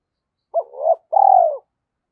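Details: Decoy spotted dove luring wild birds: a low, wavering double-note phrase followed by a longer rolling, throbbing coo that slowly falls away, no other sounds.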